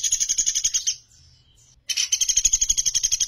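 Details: Sunda pygmy woodpecker giving rapid, rattling trills of quick, even pulses, a short pause with faint notes between them, in a clear master recording for training songbirds.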